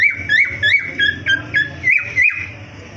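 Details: Cockatiels in a breeding colony aviary give a steady series of clear whistled notes, each with a quick upward flick and a falling tail, about three per second, over a low mechanical hum.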